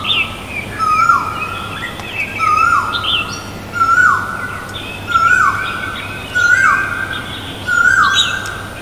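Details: Great barbet in Guangzhou, April 2022, giving loud, mournful falling notes, each about a second long and repeated steadily every second or so, over thinner calls of other birds.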